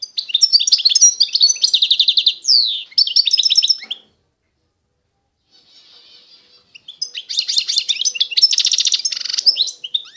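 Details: European goldfinch, Constantine type from eastern Algeria, singing long phrases of fast twittering, rattled trills and sweeping notes, with a faint soft passage in a quiet gap before a dense bright burst.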